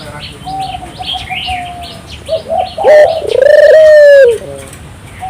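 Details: Turtle dove (burung puter) in full song. The recording is used as a lure to get local doves singing. A loud drawn-out pulsing coo comes after a mix of chirps and whistles from other small birds.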